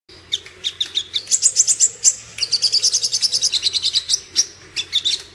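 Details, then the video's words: Sooty-headed bulbul, locally called sogon, giving a fighting-style song: rapid high chattering notes in fast bursts, sharp and scratchy, with brief pauses between runs over a faint low hum. "suara sogon tarung"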